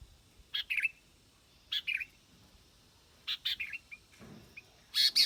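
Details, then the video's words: Sooty-headed bulbul voice: brief two-note whistled phrases with a falling second note, spaced about a second apart, ending in a louder sharp chirp. "Tiếng chim bông lau đít đỏ"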